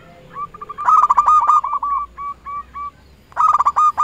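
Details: Zebra dove (local perkutut) calling out rivals as a lure bird; a loud, rapid run of mellow coos tails off into softer, spaced notes, then another fast burst starts at the end.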